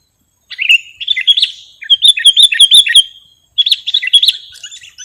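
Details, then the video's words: Lure and song-tutoring recording of a sooty-headed bulbul: three lively bursts of bubbly, warbling chirps mixed with sharp high ticks, each burst about a second long and separated by brief pauses. "Suwara Mp3 Sangat Cocok Buwat Pikat/ Masteran Burung Kutilang"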